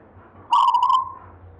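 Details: Zebra dove of local origin, gayer-style singer handed down from a grandfather, giving a single loud phrase: a rapid buzzy stutter flowing into a clear ringing coo that fades away, over a low background hum.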